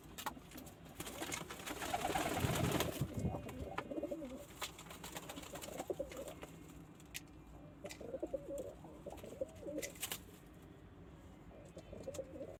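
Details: Domestic pigeons, including local, Indian, Chinese and homing pigeons, kept indoors; soft low cooing phrases repeat through the recording with a brief louder burst near the start, some faint clicks and room noise.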